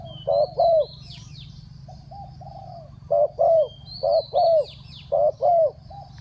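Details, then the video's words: Spotted dove decoy calling down wild birds, in the Thai three-kuk style: paired throaty coos, one short and one longer and falling, in groups separated by softer coos, while thin whistled chirps of other birds sound above. "เสียงนกเขาใหญ่ 3กุกห้อย เรียกลงกุก2กุก"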